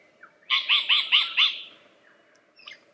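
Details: Lyrebird giving four or five loud, rich chirping notes in quick regular series, each with a ringing upward-curving tone, followed by a short faint call after a pause.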